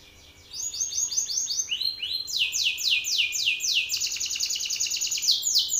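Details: Belgian canary male singing loudly at a rival: after a quiet start, fast rolling trills of falling sweeps begin, phrases climbing in pitch and growing louder, continuing steadily to the end.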